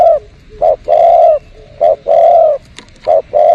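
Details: Spotted dove coos near garden plants for bird luring: loud, low, mellow notes in pairs, a short coo then a longer drawn-out one, repeated about every second and a half, with a brief tick between phrases.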